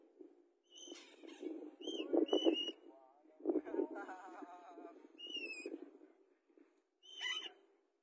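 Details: A free-flying white-capped parrot, flying with a sun conure, gives harsh, nasal squawks mixed with short, bright whistled notes.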